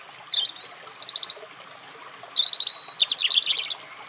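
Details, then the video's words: Two separate European robin phrases, each a thin whistle sliding into a fast, buzzy trill, with a pause between them over a soft background hiss. "European Robin Calling Sound"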